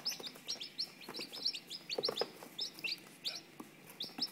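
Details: Newly hatched Orpington chicks, nine born on 27 April 2013 at Kervignac in Brittany, France. High, thin peeps fall in pitch and repeat rapidly and irregularly over a soft, hissy background.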